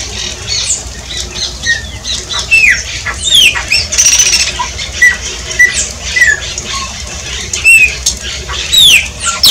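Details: Shiny cowbird singing, with bursts of harsh, buzzy noise broken by short, high, slurred whistles that rise or fall. The notes are repeated irregularly throughout.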